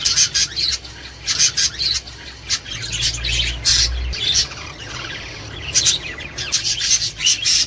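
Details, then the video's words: Budgerigars chattering to encourage mating and breeding: dense, scratchy warbling with rapid chirps and clicks, bursts of high chatter separated by brief pauses, a low hum underneath. "تحفيز طيور البادجي الأسترالي علي التزاوج والانتاج والتكاثر والبيض"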